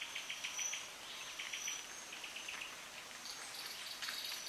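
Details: Cuban pewee calling at Soroa, Cuba, in July 2017: quick bursts of short, high, thin notes repeated in small clusters, with a steady high insect buzz running throughout.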